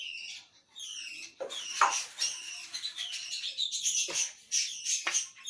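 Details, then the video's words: Grey parrot talking in harsh, breathy, voice-like phrases mixed with clicks and high squeaks, a continuous chattering stream broken by short pauses. "talking grey parrot"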